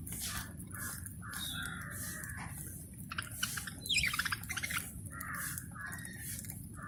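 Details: Budgerigars on a bird farm chatter in warbling, nasal phrases, with a burst of sharper squawks midway, possibly while eating; a steady low rumble runs underneath throughout.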